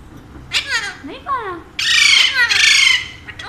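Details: Pet Alexandrine parakeets, a pair said to speak Urdu and Hindi, make sliding, chattering voice-like notes that run into two long, raspy, loud squawks, with a person's talk in the room.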